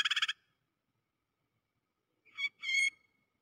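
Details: A prinia's lure call used for bird trapping: a quick burst of five buzzy, nasal notes, then after a pause two harsh, drawn-out rasping calls. No other sounds.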